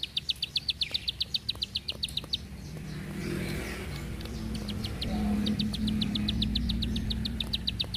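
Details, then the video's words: Bar-winged prinia singing long, tight 'tembakan panjang rapet' bursts: a rapid series of sharp, high clicks, then a vehicle rumbles past and partly masks the song, then the clicking series resumes. "Ciblek Sawah // Prenjak Klik // Tembakan Panjang Rapet Ciblek"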